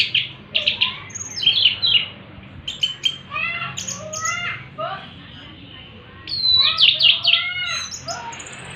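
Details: Orange-headed thrush singing in the afternoon; varied phrases of clear whistled and slurred notes, some sweeping down, others rising, broken by short pauses, with a faint low hum beneath.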